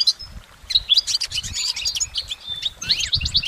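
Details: Wild goldfinch song, delivered continuously: a tumbling mix of high chirps, quick trills and a rising-falling slurred note near the end, with soft low background noise.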